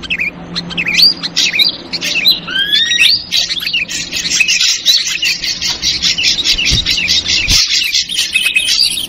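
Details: Ashy drongo lure call, noisy chattering version: slurred whistles and a run of rising notes, then a long harsh buzzy chatter of rapid scratchy notes.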